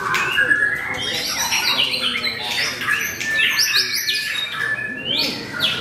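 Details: White-rumped shama (murai batu) singing at a bird contest as a debut entrant that reached the podium; busy medley of high whistles, harsh chatters and descending slurs, overlapping with other contestants.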